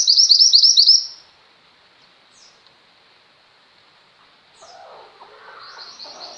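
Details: Energetic female Mountain White-eye song meant for training pet white-eyes. It opens on a loud second-long burst of fast high twittering. Quiet follows with a few faint chips, then soft high chatter over a low murmur of background noise.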